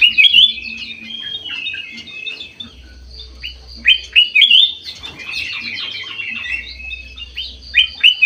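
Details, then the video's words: Aviary bulbul, golden white-eyed form, giving lively song: loud whistled phrases at the start, near four seconds and at the end, separated by busy chattering chirps over a low hum. "KUTILANG EMAS MATA PUTIH SUPER GACOR"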